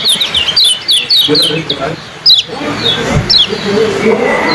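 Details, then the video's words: Yellow-bellied prinia (kecial kuning) at a bird competition, rapid 'ciak' song: a quick run of high, downslurred chirps in close series, then scattered single chirps, over voices and crowd noise. "suara KECIAL ciak joss"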